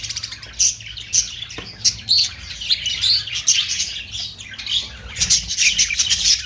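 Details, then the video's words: Australian parrots, or budgerigars, giving a busy stream of high chirps and squeaks in short loud bursts roughly every half second to second, over a constant chattering background. "Austrailian perrot sound"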